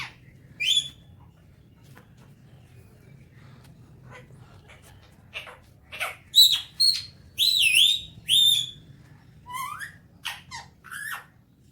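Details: Talking Alexandrine parakeet kept as a pet, active in the morning: after quiet, scattered sharp chirps and clear whistled notes, some sliding up and down, come in an irregular burst over the last six seconds.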